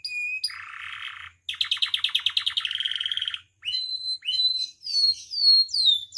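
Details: Canary in captivity singing a training and provocation song: a thin whistle, a harsh buzzy rattle, a rapid pulsing trill, then clear descending whistled notes, with short pauses between phrases.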